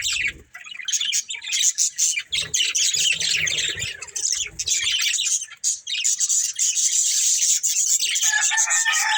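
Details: Budgerigars, a breeding pair, keep up loud rapid chirping and warbled chatter, with a few squawky notes and a low whistled tone near the end.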